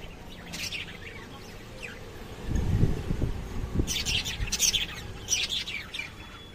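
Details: Lovebirds giving scattered shrill chirps, then dense clusters of high squeaky calls in the second half, with a low rumbling noise in between.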